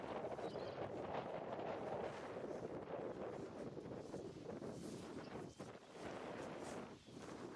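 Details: Strong wind buffets the microphone on Carcass Island, a steady broadband roar with gusts and no clear animal voice.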